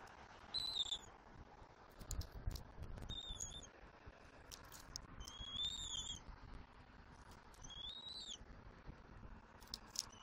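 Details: Bald eagle eaglet in a Southwest Florida nest, 5 February 2024, mantling and being fed fish: about five thin high whistled calls across ten seconds, mixed with scattered sharp clicks and rustling.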